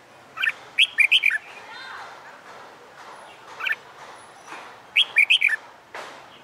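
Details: Caged wild-caught red-whiskered bulbul in fighting-song training sings rapid jumbled phrases of four or five warbled notes, pauses with a lone chirp, then repeats the quick bubbly phrase; faint background noise.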